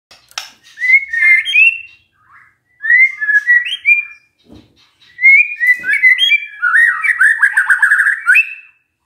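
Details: Magpie-robin song used as a lure to make a quiet bird respond, in three phrases of bright warbled whistles separated by short pauses. The last phrase ends in a rapid chattering run.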